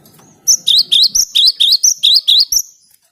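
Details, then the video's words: Lure song of the cinereous tit: a steady series of about ten piercing, high, chirped notes, each sliding down then up, repeated roughly every quarter second after a faint low rumble at the start. "Suara Gelatik Batu ini Ampuh buat Pikat"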